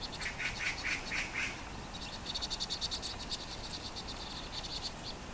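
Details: Vinous-throated parrotbills with winter-fluffed plumage, flocking with tits and quickly feeding on grass seeds, November–December, give a quick series of thin, high chips, first about five notes, then a faster chattering run of higher twittering notes.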